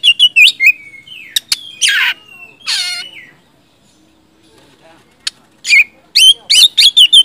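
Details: White-rumped shama provoked into singing: bursts of sharp whistled phrases and harsh rasping notes, a quiet gap, then a fast run of loud chipping whistles.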